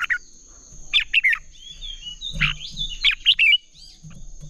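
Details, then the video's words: Red-whiskered bulbul in competitive singing for training other bulbuls: scattered clusters of bright warbled notes and brief slurred whistles, with soft low thumps and a thin persistent whine. "Chào mào hót đấu"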